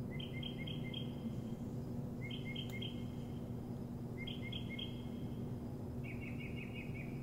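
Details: Bird singing in the morning: short phrases of three or four bright, clipped whistled notes, repeated about every two seconds, ending with a quicker run of rapid chirps, over a steady low hum.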